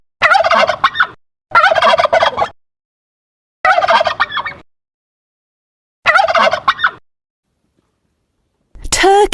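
A turkey gobbles in four loud, rapid, rattling bursts, each about a second long.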